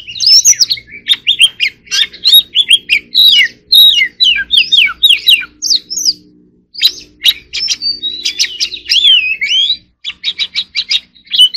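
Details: Oriental magpie-robin (choè than, kacer) giving a rapid chattering 'hót líu' song in contest style: dense runs of sharp whistled notes and trills with brief pauses, a short gap near seven seconds, then quick repeated chips.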